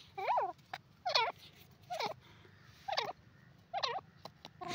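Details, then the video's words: Grey francolin, known locally as dakhni teetar, giving a clear, high-pitched voice: loud, harsh notes that rise and fall, repeated about once a second, over a faint low hum. "saaf and onchi awaz dakhni teetar,grey francolin sound"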